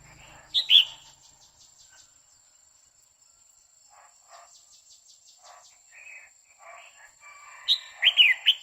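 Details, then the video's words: Female red-whiskered bulbul singing continuously to excite a male: an opening two-note whistle, soft scattered notes and faint ticking, then a rapid burst of several bright whistled notes at the close. "Chào mào mái hót kích trống liên tục Chào Mào mái quých kiu mào mái hót"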